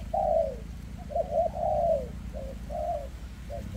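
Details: Spotted dove with a leg tremor, cooing in the dense 'kèm rước' style: a long slurred coo, two short clipped notes, another drawn-out falling coo, then shorter coos, over a steady low hum.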